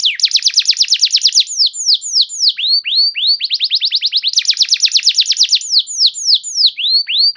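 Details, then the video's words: Canary song meant to prompt silent canaries to start singing: rapid repeated trills of sharp notes alternating with slower descending whistled swoops, bright and loud throughout. "Pancingan Burung Kenari Macet Bunyi! Ampuh Bikin Kenari Lain Langsung Respon Terpancing bakal Gacor"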